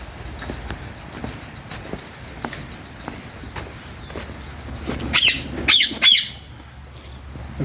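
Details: Indian ringneck parakeets in a garden aviary in England in winter give three harsh, shrill screeches in quick succession after several seconds of faint ticking chatter and low background rumble.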